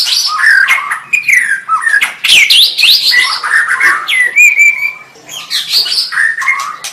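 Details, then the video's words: White-rumped shama pouring out a continuous, busy song of slurred whistles and harsh chattering notes, loud throughout with brief dips. "SUARA MURAI BATU"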